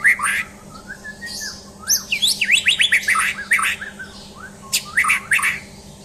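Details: Champion white-rumped shama under a mental test: loud, rapid phrases of sharp whistles and buzzy downslurred notes, a fast run of chips mid-clip, over a constant low electrical hum.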